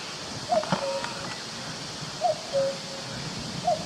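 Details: Forest cuckoo cuckooing: three falling two-part calls, short high note then held lower note, spaced about one and a half seconds apart, with a brief unrelated knock or rustle near the first call.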